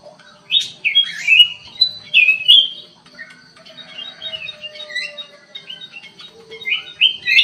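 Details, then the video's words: Black-crested bulbul singing inside an aviary: loud bubbly warbled phrases rising and falling, several quick notes in the first three seconds, softer chattering and a faint steady tone beneath, then louder phrases resuming near the end. "KUTILANG EMAS GACOR"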